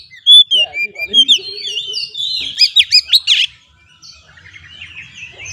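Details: Oriental magpie-robin (kacer) lure song meant to make stressed kacer sing: a fast run of loud whistled and chirping notes, several steep up-and-down sweeps, then a burst of pulsed notes before fading into quieter chatter.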